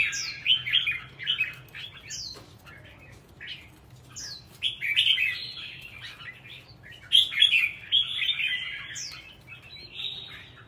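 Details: Kept red-whiskered bulbul singing repeated short phrases of rich, bubbling whistles, each opened by a high upslurred note. Phrases come every two to three seconds, with louder bursts around five and seven seconds.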